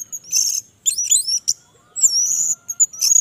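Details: Orange-headed thrush singing vigorously in a long session: quick, varied high phrases of slurred whistles and trills, a drawn-out bright whistle and sharp chips, with a faint steady lower tone underneath.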